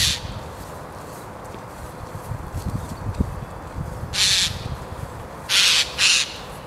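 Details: Eurasian jay near a sleeping tawny owl in Christchurch Park during the day gives three raw, grating screeches, the last two in quick succession, with distant low rumble beneath.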